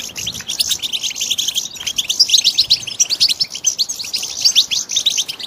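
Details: European goldfinch chicks calling: a dense, continuous chatter of short high chirps and twitters, rapid and overlapping throughout, with a few louder accents near the middle.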